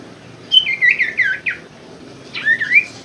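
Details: Common Iora (sirtu) song for encouraging lazy caged birds to sing: a softer, slightly distant string of slurred whistled notes, a brief gap, then a short rising-falling whistled phrase over steady low background noise.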